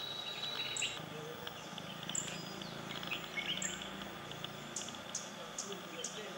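A Besra gives thin, very high, sharp notes, widely spaced at first, then a quicker run of four. A steady high whine and background hiss run beneath.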